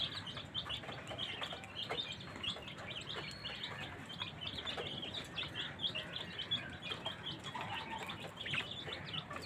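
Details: A colony of caged budgerigars chatters continuously with dense, overlapping chirps and warbles.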